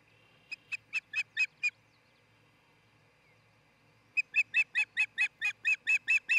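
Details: Osprey of a nesting pair at a nest built near tree tops in Charlo, Montana, recorded by nest camera on June 26, 2018 around dawn: a run of six sharp chirped notes, a pause, then about eleven louder, quicker chirps.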